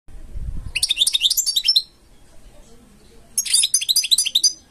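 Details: Caged European goldfinch singing two bursts of rapid, twittering high notes, each about a second long, separated by a pause; a brief low thump opens the recording.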